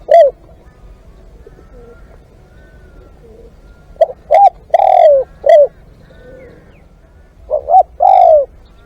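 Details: Spotted dove used as a live decoy (ต่อสด). One lone coo opens, then a full four-note phrase with a long falling third note. After a pause comes a shorter phrase. Faint distant coos sound in between.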